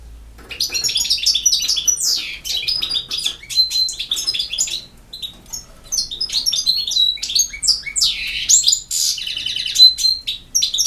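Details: European goldfinch giving campero-style song: a long, lively run of rapid liquid twitters, sharp whistled notes and rasping downward-slurred buzzes, continuous for about ten seconds with short breaks.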